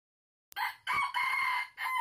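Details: Wild red junglefowl crowing in an oil palm plantation on 12 August 2021, heard during luring. A loud, harsh crow breaks into three hoarse, rasping segments with strong bands, the longest sustained and falling slightly at the end.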